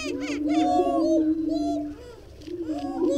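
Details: Low resonant moaning hoots from greater prairie chickens, rising and falling in swells about every second, with harsher nasal overtones layered on top.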